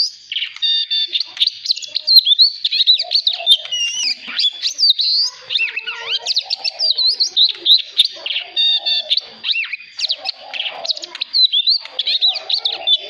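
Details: An Oriental magpie-robin sings a rich, nonstop stream of clear whistles, sliding notes and scratchy chatter, switching phrases every second or so. This is a wild-style song used to train young magpie-robins' voices.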